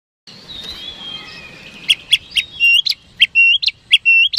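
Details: Oriental magpie-robin in full song, a lure recording meant to make rival birds respond quickly; after a faint quiet start comes a run of loud, clear whistled notes, each ending in an upward flick, repeated more than once per second.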